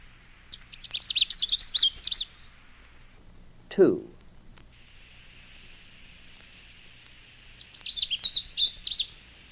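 A Canada Warbler gives two rapid, jumbled bursts of high chips and warbles, each about two seconds long. A brief spoken announcement falls between them.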